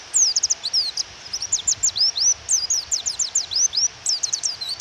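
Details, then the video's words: Female white-eye (pleci) calling to stir a male into song: loud, rapid series of high, slurred chirps, some rising and some falling, packed almost without pause, with soft rain in the background. "Pleci Suara Memanggil Lawan dan Suara Hujan"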